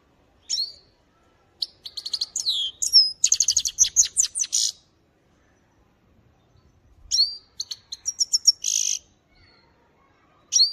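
A goldfinch sings in two long bursts of rapid, tinkling twitters and buzzy trills, high-pitched and fluid, with brief pauses between phrases.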